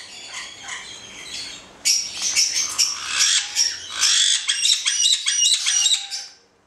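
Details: Pair of black-headed caiques starting quietly, then breaking into loud rasping squawks and sharp whistled notes repeated rapidly.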